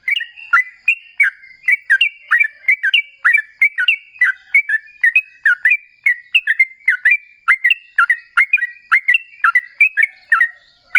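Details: Sooty-headed bulbul, trucukan, giving a long lively lure song to make other bulbuls call back: steady chain of short bright whistled chirps, paired and dipping, roughly three per second, without pause.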